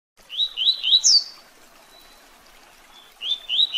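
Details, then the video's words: Double-collared seedeater singing the Tui Tui Zel Zel song style used to train captive birds: three quick rising slurred notes, then a sharp higher note, a pause, and the rising phrase starting again. "Tui Tui Zel Zel Canto Para Treinamento e Encarte de Coleiros e Papa capim!!!"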